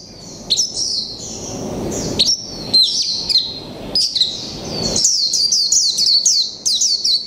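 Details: Caged Japanese white-eye, khuyên mộc variety, one month in the cage, singing its líu pha chòe trống style: rapid high, thin chirps and sweeping whistled notes in dense bursts, growing into a quick repeated twitter near the end.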